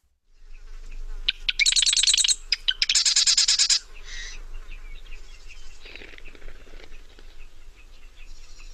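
Marsh Wren song: two fast, dry, machine-gun rattles about a second each, led by sharp clicks, then softer scattered chips over a low hum.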